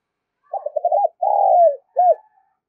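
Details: Spotted dove calling, played to excite decoy birds for trapping: a short stuttering run of low hoots, a long drawn coo sliding downward, then a brief arched final note. Clean, quiet background.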